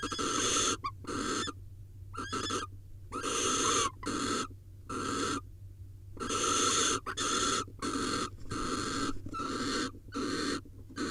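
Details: Barn owl pair at a camera-monitored nest in Israel in 2021, mating: a long series of coarse, wheezing screeches, irregularly spaced, some clipped short, others stretching close to a second.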